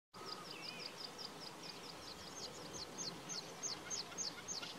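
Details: Common snipe calling with a fast series of short, downward-slurred high notes that grow louder and sharper toward the end, over a busy background of other high bird and insect sounds.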